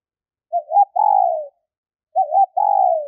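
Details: Female spotted dove calling to stimulate males: two phrases, each a short wavering double coo followed by a longer, slightly falling coo, the pair about 1.6 seconds apart, otherwise silent.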